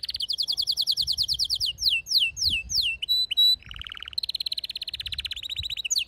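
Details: Domestic canary singing, a male's song paired with a female's mating call: fast trills of rapid repeated notes, downward-sweeping slurred phrases, a short steady whistle, then a lower buzzy roll and a long bright high trill.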